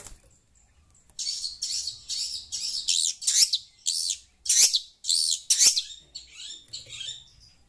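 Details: Noisy long-tailed shrike hearing a phone: after a quiet second, a long series of harsh, grating chatter notes, roughly two per second, loudest midway, then tapering into softer rasps.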